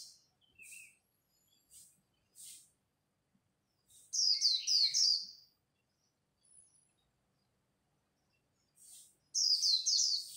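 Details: Dawn contest of Japanese white-eyes in the líu style, used to excite new birds: sparse soft chips, then a rich high twittering burst, a long pause, and another bright burst.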